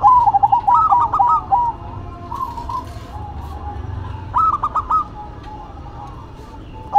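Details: Duetting zebra doves, one local and one cemani: an opening run of fast bubbling coo notes, a quieter stretch of soft coos, then another crisp burst of four stuttered notes.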